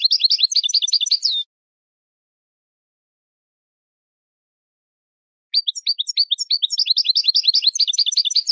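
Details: Song of a European goldfinch for bird training: dense, liquid twittering of high slurred notes ending in a short buzzy note, a pause of about four seconds, then a longer, accelerating tumble of tinkling phrases.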